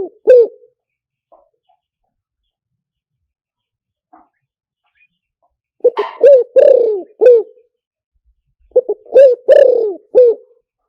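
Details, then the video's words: Spotted dove call meant for luring via a loudspeaker: the tail of one phrase, a quiet pause with faint ticks, then two full hoarse phrases of short and drawn-out coos in quick succession. "เสียงต่อนกเขาใหญ่หมานๆ, เสียงนกเขาใหญ่ใช้ต่อลำโพงหมานๆเสียงชัดHD"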